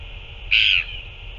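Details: A single drawn-out harsh note of about a third of a second from a Northern royal albatross at a feeding, recorded 9 February 2024, heard over steady background hiss.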